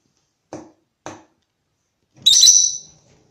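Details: A female pet rosy-faced lovebird, playing on a toilet counter and emerging from behind a photo frame, gives two soft knocking taps, then one loud, harsh, shrill screech lasting under a second.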